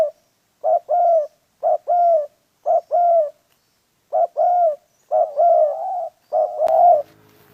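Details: Spotted dove calling during dove trapping: paired low coos, a short note then a longer rounded one, repeated about once a second with a brief gap midway, against quiet surroundings and a soft click at the end.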